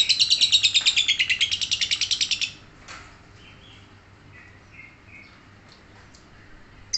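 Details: Lovebird ngekek: a loud, rapid burst of grating, high notes about three per second for roughly two and a half seconds. Quiet follows, with only faint scattered chirps.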